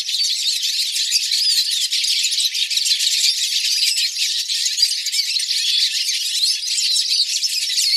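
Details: Flock of hooded siskins singing together in a live recording: a dense, continuous wall of high twittering, chirps and short sweeping notes that overlap without pause, with no low sounds.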